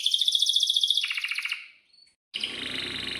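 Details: Canary in energetic song used as a lure for young birds learning to sing. A rapid, high, even trill lasts about one and a half seconds, then falls silent before a burst of broad hissing noise.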